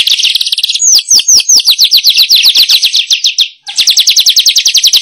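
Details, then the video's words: Lure sound for attracting wild weavers: long run of quick, sharp chirps delivered several per second in a near-continuous chatter, with a brief gap before the rapid chirping resumes. "Suara Pikat Burung Manyar"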